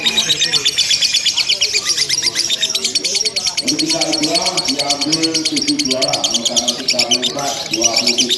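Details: Lovebird ngekek in a simulated contest, long nonstop chatter: a continuous fast trill of high piercing notes, overlaid midway by lower murmuring voices and tonal background sounds.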